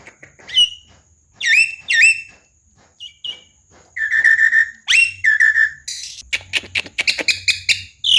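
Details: Javan myna mblegedeg chatter used to coax non-singing birds: clear upslurred whistles, slurred buzzy notes and a closing flurry of fast clicking, rattling notes, heard in quiet surroundings.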